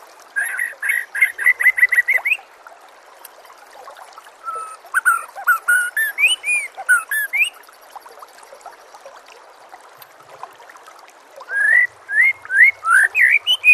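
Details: White-rumped shama giving a master song to train other birds: a fast run of about ten repeated rising chirps, varied whistles and chatter, a quiet gap, then more rising whistled notes in rapid series.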